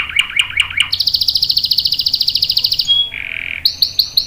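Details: Canary song used as a lure for other canaries: a few lower chirps, then a fast, bright, buzzy high roll, a pure whistle, a lower droning buzz and three rising, swooping notes to close.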